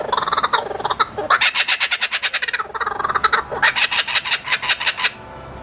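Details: A southern laughing kookaburra laughing back after a human imitated its call: fast runs of harsh, hooting chuckles, about five a second, rising and falling in bursts with brief pauses between.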